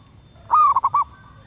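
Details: Wild female zebra dove calling for males, a lure call: one sustained coo breaking into three rapid, evenly spaced short notes, with a soft low rumble behind.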